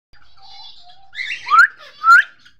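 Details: Cockatiel from a breeding pair giving two loud, rising, slightly harsh whistled calls about half a second apart, over faint background chirping.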